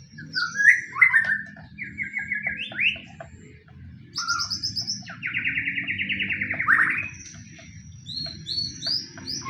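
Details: White-rumped shama pastol fighting-style lure song used to provoke rival shamas into song: loud, varied whistled phrases with fast buzzy trills, a long rapid rattling trill midway, and high thin whistles at the end.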